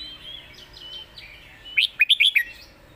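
Red-whiskered bulbul: a burst of four or five loud, rich, bubbling whistled notes near the end, after softer warbling at the start.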